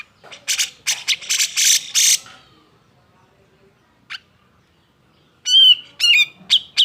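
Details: Cucak jenggot in agitated song used to provoke lazy birds into singing: a harsh rapid chattering burst, a pause with one chip, then loud warbled whistled phrases.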